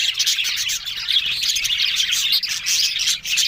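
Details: Several budgerigars chattering on October 1: busy high twittering and warbled chirps run almost unbroken, with a few short dips in loudness between bursts of overlapping notes.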